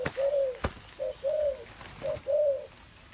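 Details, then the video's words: Captive spotted dove from a breeding cage, recorded 21 August 2021, giving soft low arched coos in a short-then-long pattern, a brief note followed by a drawn-out one, repeated about once a second, with a few sharp clicks. "cu gáy"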